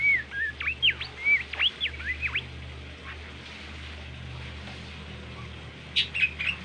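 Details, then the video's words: Bimoli song: a quick run of high, thin whistled notes, some sweeping up and others slurring down. After a pause it comes back with a brief burst, over a low steady hum. "masteran merdu burung bimoli gacor"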